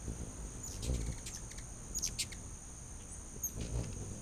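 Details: Several hummingbirds feeding on a back deck, late August 2019: scattered sharp, squeaky chips in quick clusters, a few soft low wing-hum pulses, and a constant shrill insect drone behind.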